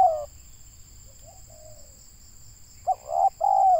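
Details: Spotted dove, local bird recorded during trapping in Indonesia. Mostly quiet with faint soft coos, then a full phrase at the end: a short note and two mellow coos, over a steady high whine.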